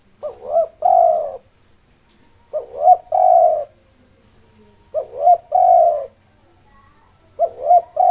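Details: Nonstop song of a local spotted dove meant to call out rival birds: four repeated phrases, roughly every two and a half seconds, each clipped note, arched coo, then long level low coo.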